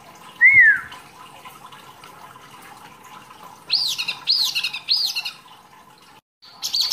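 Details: Caged mini wambi with masteran training song. A single loud whistle rising then falling comes first. After a pause, three high arching notes repeat about every half second.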